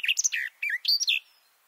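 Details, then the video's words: Close-range male garden warbler under a bush, microphones two meters below: a brief burst of mellow warbled notes, several quick rising and falling chirps, then the phrase ends abruptly in silence. "This garden warbler song (Silvia borin) sounds great!"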